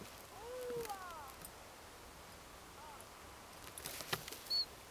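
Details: Ringed Siberian Chiffchaff, subspecies tristis, at Flommen, Falsterbo, Sweden, 10 October 2010. Low murmuring and rustling sounds come first, then a single thin, high, flat call near the end.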